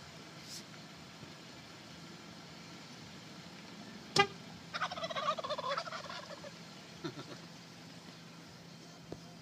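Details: A wild turkey showing off at the roadside gives one rapid, bubbling gobble, a rattling burst just over a second long, after a sharp knock, over a low steady hum.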